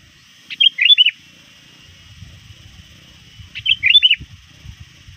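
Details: Trained lure sooty-headed bulbul calling rivals as evening nears, two short chattering, looping whistled phrases three seconds apart over a low rumbling background.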